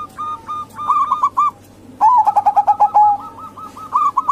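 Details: Local and Bangkok zebra dove cooing used to lure other doves into calling; a short burst of rolling notes, a pause, then a louder run of quick bubbling coos repeated in a chattering series.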